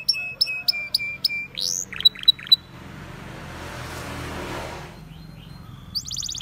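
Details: Canaries singing in the wild: a series of evenly spaced high chirps, then a quick burst of three sharp notes, a stretch of soft broadband rushing noise, and a fresh high trill starting at the end.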